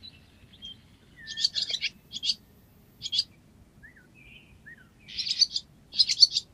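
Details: Barn swallow in Cincinnati, Ohio: short bursts of dense, buzzy high chirps in clusters about a second apart, mixed with thin squeaky upslurred notes between bursts, over a faint low background hum.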